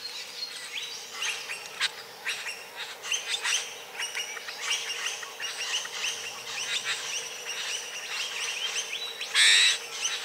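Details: Courting satin bowerbird giving a busy series of dry, crackling buzzes and clicking rattles in quick irregular bursts, with one loud harsh rasping burst near the end.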